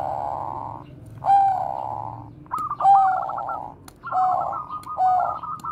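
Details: Bangkok perkutut, a zebra dove strain, in its koar-koar style song for luring other doves: drawn-out, resonant coos, each opened by a brief stutter, repeated roughly every second and a half.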